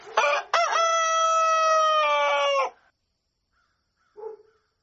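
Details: Rooster crowing at dawn, a sharp rising start breaking into a long, steady, strongly harmonic crow held for about two seconds, then silence with one faint short cluck.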